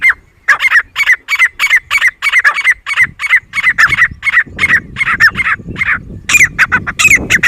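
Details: Grey francolin giving a steady train of clipped, ringing notes at a brisk even pace, rising in intensity toward the end with a few louder harsh phrases.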